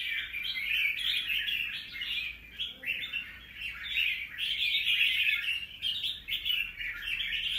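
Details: Captive wild-caught red-whiskered bulbul singing, December 2023: a rapid stream of chirpy, warbling notes, roughly four short bursts per second, irregular in rhythm, with a quieter gap just before three seconds and a steady faint low hum underneath.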